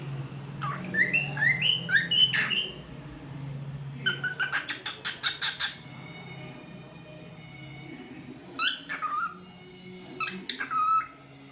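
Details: Talkative pet cockatiel making varied sounds: twisting rising whistles, then a rapid burst of clicky chirps. Scattered sharp calls and a falling whistle follow, all over a constant low background hum.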